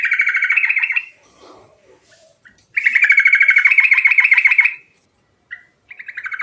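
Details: Sooty-headed bulbul giving an energetic rolling song, used to lure silent bulbuls into singing: a fast, buzzy, pulsing trill held about a second, a pause, then a longer two-second run of rapid repeated notes, and a final burst.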